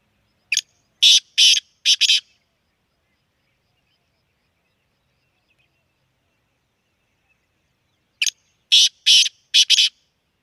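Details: Black francolin in Sindh giving two harsh, grating phrases of four to five rasping notes each, separated by about six seconds of silence, with no other sounds.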